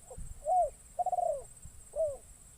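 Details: Captive decoy spotted dove, newly trained and taken into forest for the first time, calling to lure wild spotted doves: a soft short note, a falling coo, a rolling pulsed coo, then another descending coo, over a steady high hiss.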